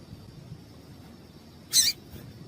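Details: Female yellow-bellied seedeater call, played to excite males into singing: a single sharp, high chip lasting about a quarter second over a faint steady hiss.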